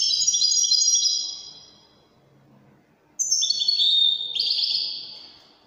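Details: Moroccan Widani-style song from a European goldfinch of the Widani type: a rich, high twittering phrase, a short silence, then a fresh phrase opening with a sharp note and running into quick liquid trills.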